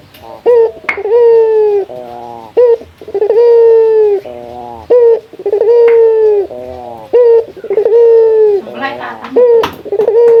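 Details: Male local Barbary dove calling a challenge to a rival. Brief clipped notes and rolling trills lead into sustained, level coos, repeated steadily four or five times, with occasional knocks.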